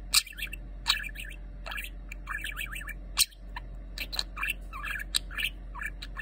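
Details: A budgerigar named Lemon, chattering during its moulting season in a steady run of warbles, chirps and scratchy clicks, with sharp squawks about every second over a low hum.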